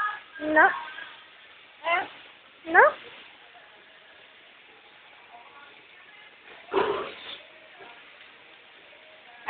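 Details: Pet Amazon parrot mimicking speech, repeating hello: a few scratchy upward-sweeping voiced syllables in the first three seconds, then a longer rasping burst near the seventh second, with quiet room tone between.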